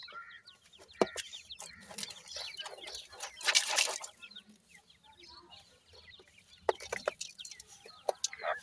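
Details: Grey francolin family with five chicks under watchful parents in natural surroundings; many thin, quick descending peeps at 2 to 4 kilohertz, broken by loud sharp clicks and a burst of rustling midway.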